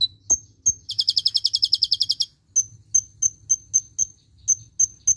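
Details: Kolibri ninja (Van Hasselt's sunbird) singing a tembakan cililin-style fill, recorded for training songbirds: a rapid buzzy trill of about fifteen notes lasting over a second, then thin very high ticking notes repeated roughly every third of a second.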